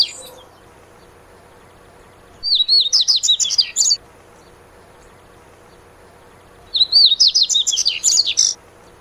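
Dubois's seedeater sings two bright, rapid phrases of high twittering notes, each about one and a half seconds long, separated by a few seconds of quiet.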